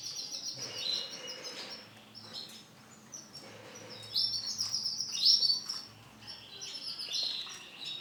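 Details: Starblue-coloured male canary singing high, fast trills and chattering phrases in short bursts, with brief quiet gaps between.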